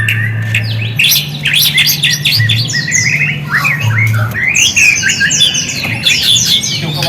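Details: Shama song played to make quiet shamas respond, with high twittering, buzzy flourishes and fast descending whistles running without pause, over a steady low hum.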